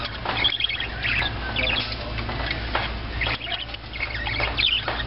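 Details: Parakeets in a pet store, a group of caged birds chattering with overlapping squawks and high chirps above steady indoor hum, with people talking nearby.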